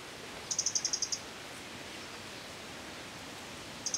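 A White-bellied Redstart gives a quick run of about seven thin, very high ticking notes, then starts another at the end, over a steady rushing hiss.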